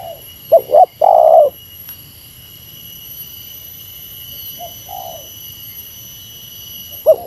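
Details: Spotted dove calling in 'meratus' style as a lure to bring a competing rival down from its perch. One phrase of two quick coos then a longer falling coo, a softer distant coo later and a single note at the end, over a constant high electronic hum.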